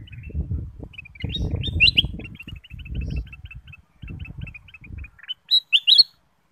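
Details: Ruby-throated bulbul used as a lure to make other birds sing: short high chirps and quick upslurred notes in loose series, over low rumbling noise in the first half.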